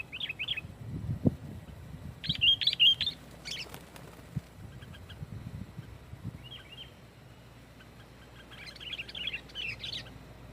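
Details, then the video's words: Sooty-headed bulbul singing loud, dense lure song to press rivals; scattered bursts of bright chirps, with clattering and low thumping noises between phrases. "SUARA BURUNG KUTILANG GACOR SUARA RAPATBIKIN KUTILANG LAIN IKUT GACOR"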